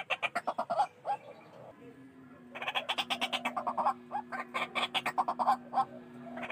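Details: White-breasted waterhen call played as a trapping lure: a short burst of harsh croaks, a quieter gap, then a longer rapid series of loud grating notes over a low steady hum.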